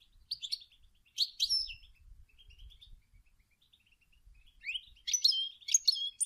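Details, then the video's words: Female European goldfinch calling and singing to prompt males into song: quick high tinkling twitters, a pause of soft chirps, then a louder burst of liquid, buzzy notes at the end. "Chant et des appels incroyable d une femelle chardonneret pour stumuler les males à chanter"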